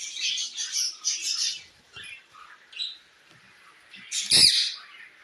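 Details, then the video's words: Parrot calling to another parrot: a run of scratchy, buzzy squawks, then a few faint notes and a quiet gap, then one loud harsh screech. "Parrot Calling Other Parrot Sound"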